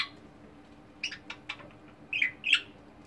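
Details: Pet budgerigar chirping indoors: a few quick, scratchy chirps followed by two sharper, louder squawking notes near the end, over a faint steady hum.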